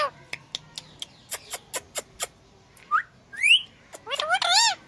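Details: Pet Indian green ringneck parakeet imitating a cat's meow: a run of sharp clicks and taps, then slurred rising and falling meow-like notes, the last one harmonic-rich and wavering.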